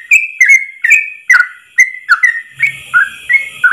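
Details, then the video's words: Yellow-vented bulbul singing a long 'ropel' song in a single breath, a training recording: quick clear whistled notes dropping in pitch, with a faint low hum joining in the second half. "Masteran trucukan terbaik ropel 1 nafas panjang"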